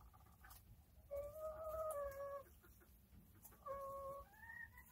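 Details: Chickens calling during a relaxed day: two long, level, plaintive notes, the first lasting over a second and slightly falling at the end, the second shorter and rising at its close, against quiet background noise.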